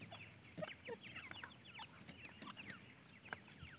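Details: Francolin chicks chirping rapidly, a crowd of faint, high, falling peeps running together almost without pause over low background noise.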